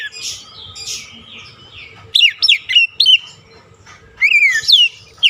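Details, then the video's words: Oriental magpie-robin lure and stimulating song for a stressed bird that has gone silent: soft scratchy notes at first, then loud, sharp whistled slurs and a long falling whistle near the end. "KICAUAN PEMIKAT DAN PERANGSANG BUNYI | Kacer stres macet bunyi langsung gacor"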